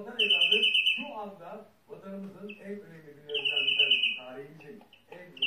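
A European greenfinch gives two fast, rolling, high-pitched trills about three seconds apart, with a person talking softly underneath.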